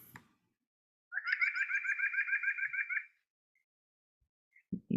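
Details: White-breasted Nuthatch song: a quick run of about fourteen nasal, even-pitched notes over two seconds; the nasal timbre comes from roughly ten harmonics stacked on each note. Brief speaking sounds at the start and end.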